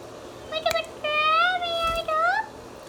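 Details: Pet Indian ringneck parrot indoors uttering a drawn-out, harmonic, speech-like phrase with a wavering pitch, ending in an upward bend, after a brief click.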